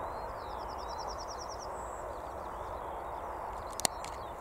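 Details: Yellowhammer singing on Fleam Dyke, Cambridgeshire, UK, 23 June 2021: a fast run of about ten high, thin chipping notes ending in a drawn-out higher wheeze, over steady wind, distant rumble and a sharp click.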